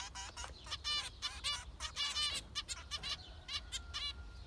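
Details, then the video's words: Zebra finches giving a rapid run of nasal, harmonic-rich calls, short beeps overlapping in quick succession with a faint steady tone in the background. "Zebra finchs"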